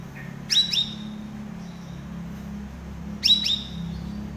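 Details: Chatty cucak rawis used to train cage birds: a pair of bright, high chirps with falling tails, then the same paired chirps again almost three seconds later, with a low background drone.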